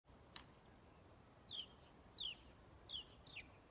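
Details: A lone house sparrow on Strömgatan, Haga, on 21 December 2022, giving powerful calls: a faint first note, then three short, sharp, downward-slurred chirps about every 0.7 seconds over steady background noise.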